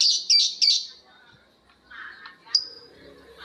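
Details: Lovebirds ngekek, several birds answering each other: three sharp shrill squawks at the start, then quieter chattering notes and a final high whistled shriek.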